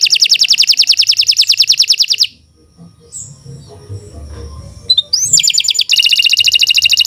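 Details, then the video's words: Kenari Nusantara canary singing a long continuous song used as master song for training: a rapid high rolling trill of over three notes a second, a quiet gap with faint room noise, then the trill returns. "Kicau Burung Kenari 142 II LUAR BIASA GACOR PANJANG Cocok untuk Masteran"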